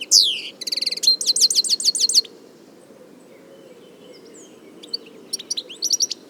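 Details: European goldfinch singing in the wild: a loud opening slur, then fast buzzy trills of repeated notes high in pitch for two seconds, a quiet pause, and short twittering phrases returning near the end over a low background hum.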